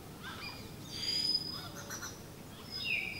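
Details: Southern hill mynah (Gracula indica) in Kandy, Sri Lanka, from Hantana and Udawattekele, giving its piercing signature call: sharp high whistled notes near the middle, then another bright whistle near the end, over a soft steady background hiss.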